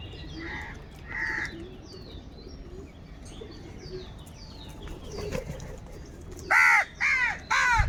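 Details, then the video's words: Crows fighting for food: two faint harsh caws early on over soft background chirping, then three loud, hoarse, drawn-out caws in quick succession near the end. "Kaka sound and noises of Crow birds | All types of Crow sounds | Very loud voice of Crow sound"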